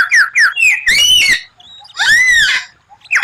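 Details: White-rumped shama, or murai batu, sings rare 'tembakan' phrases: two quick down-slurred whistles, then two loud, rasping, harmonic notes with a short pause between them.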